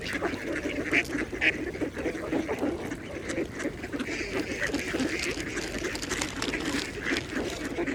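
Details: Mallards feeding at a pond make steady murmuring quacks and a few louder nasal calls early on, a busy overlapping flock chorus over calm water.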